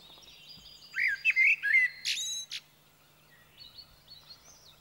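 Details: A common blackbird (Turdus merula) sings in Sweden: one short phrase of mellow, fluty warbled notes ending in a high, squeaky twitter, with faint calls of other birds in the background.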